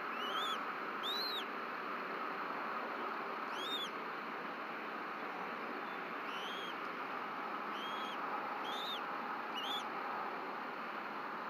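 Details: Wild bald eagles at their nest at Berry College in Rome, Georgia, on 26 March 2024, during a 7:21 pm evening feeding as both parents pass fish to a chick. Short high arched chirps repeat in loose bursts over steady background hiss.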